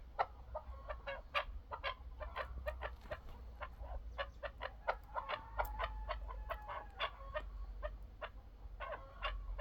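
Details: Chukar partridge producing a dense, fairly quiet run of short chucking notes, many per second, with a thin drawn-out tone in the middle and a low background hum.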